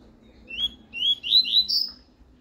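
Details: Double-collared seedeater singing the classic tuí-tuí song style, used for teaching young birds: a brief sequence of high whistled notes, each pitched higher than the last, in a quiet room.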